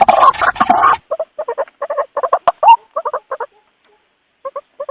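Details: White-breasted waterhen lure call, the bird calling its companions: after a noisy opening second, short paired croaking pulses repeat in quick clusters, then pause with a few scattered notes near the end.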